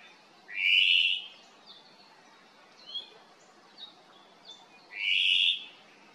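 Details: Wild ʻŌmaʻo, the Hawaiian thrush, on the Kaulana Manu Nature Trail, Island of Hawaiʻi, calling to its cohorts: two loud, hoarse, rasping notes about four seconds apart, with faint thin chirps between them.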